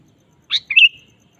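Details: Sooty-headed bulbul in energetic singing form, played to prompt a kept bird to sing: one short phrase of a sharp note, then a rolling, liquid whistle that fades out, with near-silence around it.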